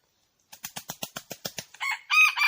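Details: Red junglefowl beating its wings in a rapid series of about ten soft claps, then starting a loud, hoarse, drawn-out crow.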